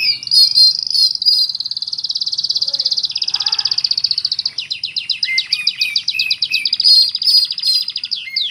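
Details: Singing Oriental magpie-robin delivering a song full of cricket imitation. A long rhythmic pulsed trill dominates, then breaks into quick chirps and whistled notes repeated at a steady pace.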